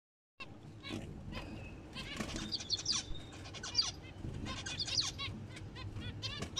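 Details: Zebra finches in the breeding period give short, nasal, toy-trumpet beeps and chirps in quick, overlapping bursts.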